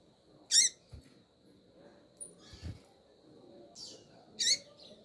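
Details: Female double-collared seedeater calling to stimulate the male: two short, sharp, high-pitched notes roughly four seconds apart, with faint softer clicks between them over a quiet background.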